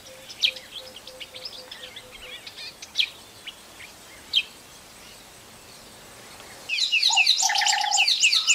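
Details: White-fronted bee-eater calling in Kruger: scattered high, squeaky chirps, then a sudden burst of dense, rapid chirping with a steady low tone beneath.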